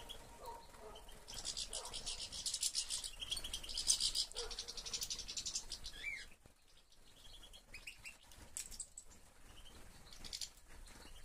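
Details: European goldfinch in a finch breeder's collection, 2013, delivers a long run of dense, high, buzzy twitters. Short chirps are mixed in, then quieter scattered notes follow after a brief lull.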